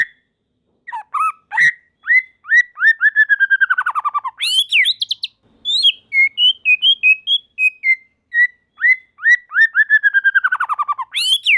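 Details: White-rumped shama song, other shamas joining; repeated series of rapid descending whistled notes, a sharp burst, varied whistled phrases, then another fast descending run.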